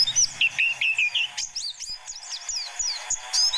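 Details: White-eye lure song aimed at young wild forest birds: a short warbling run of lower notes followed by a string of sharp, high, slurred chips and sweeps delivered in quick succession.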